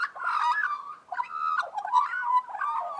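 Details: Group of Australian magpies warbling together in harmony, with overlapping mellow, throaty, carolling phrases that swell and dip in quick bursts, rich and slightly rough in tone.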